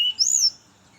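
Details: Brown-chested jungle flycatcher singing in the morning, used as a lure for others of its kind: a short clear whistle, then a loud, high, arching whistled note lasting a quarter second, over a quiet background.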